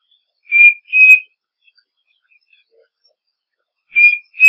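A striped cuckoo gives clear two-note whistles, the second note slightly higher. Each pair is repeated after a pause of about three seconds, against a quiet background.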